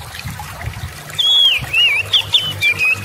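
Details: Oriental magpie-robin, song used to coax silent birds into singing: after a quiet start with low rumbling, a few looping whistled phrases rise and fall in the last two seconds.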